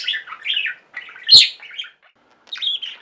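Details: Budgies of a singing pet flock: warbled buzzy phrases, one sharp loud click mid-clip, brief silence, then a rising squeaky chirp phrase.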